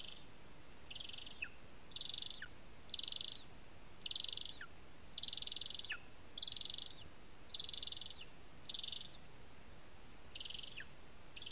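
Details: Lesser spotted eagle at its nest in a spruce in Zemgale, Latvia, on a live nest camera, giving short high yelping notes repeated roughly once a second, some with a quick downward slur, over a steady background hiss.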